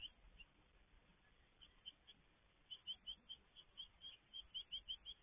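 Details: Great tit at a garden nest box during feeding, 17 May 2022: thin, high chirps, a few scattered at first, then quick runs of three or four per second over a soft steady hiss.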